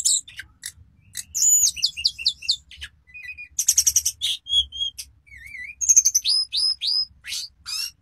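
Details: Hill blue flycatcher, locally tledekan, singing flute-style with borrowed phrases: fast repeated notes, a wavy whistle and rising slurs, over a faint low hum.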